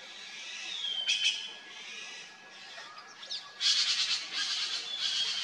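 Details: A noisy trio of red-billed blue magpies feeding on wild pear fruit in cedar and fruiting trees near Mussoorie, Garhwal Himalaya, give harsh, scratchy squawks in uneven bursts, with a thin whistled note and bright chatter.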